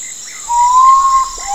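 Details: Common potoo (urutau) singing: a long, loud, mournful whistle that rises slightly and holds, then falls off, followed by a lower note starting. Steady high insect drone in the background.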